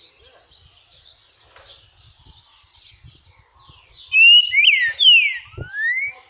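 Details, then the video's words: A timid green-winged saltator (trinca-ferro) sings a loud phrase of rich, slurred whistles that rise and fall, ending on an upslurred note, after soft background chatter from other birds. "Trinca Ferro canto"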